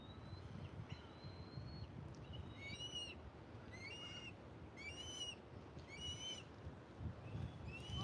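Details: Eagles whistling high overhead somewhere along Australia's East Coast, recorded live outdoors: a series of thin, high whistled notes with downward-sweeping and rising inflections, several in quick succession, over steady low rumbling background noise.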